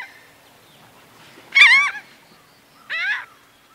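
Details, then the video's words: Laughing gull, single bird, flight calls: two separate harsh, nasal, downslurred notes over a second apart against a quiet background. "Laughing Gull. MCU 'Long' Or 'Laughing' Calls From Single Birds, Flight Calls F"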